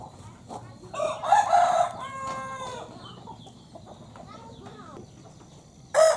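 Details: A broiler rooster kept as a breeding male in a village crows: a harsh rising burst followed by a strained, wavering tail note. Faint low background noise follows, and a loud sharp sound comes at the end.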